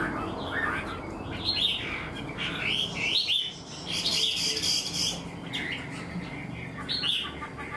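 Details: Untrained Chinese hwamei kept in a cage, said to sing like a tamed bird: scattered whistled and slurred phrases, partly masked by steady background noise, with a louder burst of rich notes in the middle.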